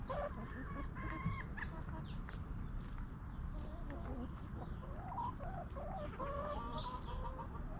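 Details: Free-range hens wandering a backyard farm and snacking make scattered short clucks and soft rising notes, several birds calling over a low continuous rumble.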